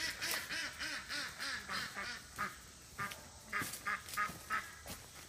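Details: Rose, a female Welsh Harlequin domestic duck, is released and runs back to her flock, calling for her friends. She gives a run of loud, harsh quacks, about three a second, each with a buzzy, nasal ring; later quacks come more spaced.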